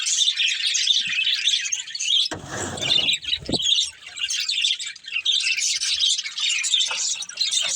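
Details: Busy high chirping and chattering from a budgerigar family, interrupted early by a short harsh broadband noise burst and a clack, then flowing on steadily.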